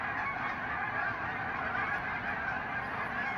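A huge flock of geese honks all at once, hundreds of nasal calls merging into one continuous, roaring chorus without a break.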